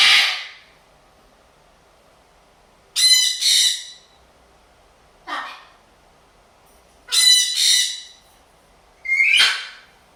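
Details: Bored blue-and-gold macaw indoors with a sun conure and a parrotlet, telling the other birds to stop; rough, grating squawks come mostly in doubled bursts about every two to four seconds, with quiet in between.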